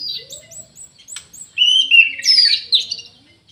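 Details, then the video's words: Orange-headed thrush singing in an aviary: soft, thin, high notes, then a loud sweet whistle leading into a rising, twisting flourish and a final sharp burst. "ANIS MERAH GACOR"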